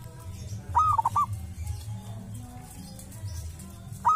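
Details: A local wild zebra dove near a sacred tomb gives a quick cooing phrase of rising and falling notes. After a pause a second phrase begins, over a soft low hum.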